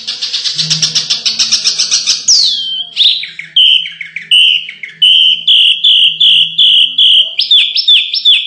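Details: Canary singing for contest-bird training: a fast rattling trill slides down into a series of clear, repeated whistled notes, ending with higher clipped chirps.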